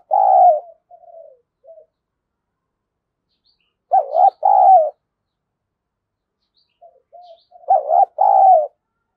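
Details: Spotted dove giving a 'thúc gù' calling style used to lure wild doves; soft low coos lead into loud doubled mellow coo phrases, repeated about every four seconds over silence.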